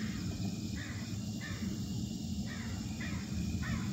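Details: A crow landing to harass a newly arrived male calls on an August evening: five harsh, fairly evenly spaced caws roughly every seven tenths of a second, moderately distant, over a constant low-frequency hum.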